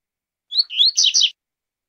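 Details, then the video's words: Double-collared seedeater singing the tui-tui zel-zel song type: one short phrase of a sharp rising whistle, a slurred upward note, then two dense buzzy notes, over clean silence. "CANTO TUI-TUI ZEL-ZEL"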